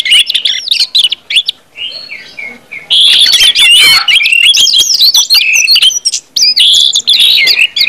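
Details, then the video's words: Orange-headed thrush in ngeplong style, a song meant to prompt other birds to sing quickly and steadily: loud, fast, varied whistled and warbled phrases, sliding notes and sharp chirps, with a quieter stretch before bursting into dense continuous song. "KUMPULAN ANIS MERAH NGEPLONG BIKIN CEPAT BUNYI DAN GACOR ANIS MERAH"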